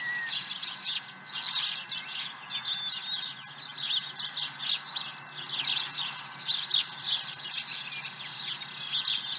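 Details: Osprey at the nest with an early fish, Dunrovin Ranch, morning of 30 April 2020 around seven: high, thin chirped notes repeated in fast, steady runs throughout, with a faint electronic hum underneath.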